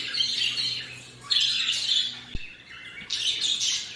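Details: Pet budgerigars, hearing recorded chirps of other budgies played on an iPad, give busy, scratchy chirps and warbling chatter in bursts, singing along.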